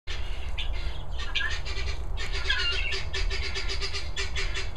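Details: Several three-day-old helmeted guineafowl keets give thin, high peeping chirps over a steady low hum.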